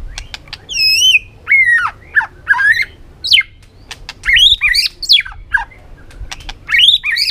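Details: White-rumped shama singing a training song of many forest voices: varied phrases of sharp, upward and downward slurred whistles and quick clicks, with each burst followed by a brief pause.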